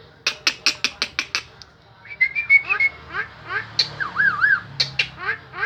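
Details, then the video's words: Strange yet melodious starling singing: seven quick dry clicks, a pause, then a flowing string of slurred whistles, buzzy chatters and a wavering whistled trill near the end. "Dengar suara aneh tapi merdu burung JALAK"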